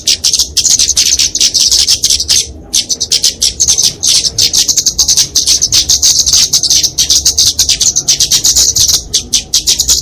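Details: Kemade flowerpecker fighting song, used for tutoring and luring small birds: a long, dense, high-pitched ticking chatter, almost unbroken apart from one brief gap near two and a half seconds.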